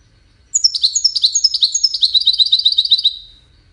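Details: Wiidani goldfinch singing a rapid, twittering phrase of about two and a half seconds. Sharp high notes and trills tumble together, quickening toward the end before stopping into silence.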